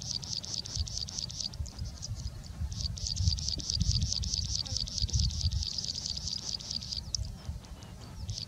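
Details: A Plain Prinia at Mettur reservoir, Salem, India, where the species is very common, sings a fast, high, buzzy series of insect-like notes, three or four per second, over a low wind rumble.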